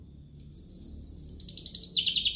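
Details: Canary master song in 'cengkok mewah' style for teaching young canaries and prompting singing: after a quiet start, thin high whistled notes build into a loud fast pulsed trill.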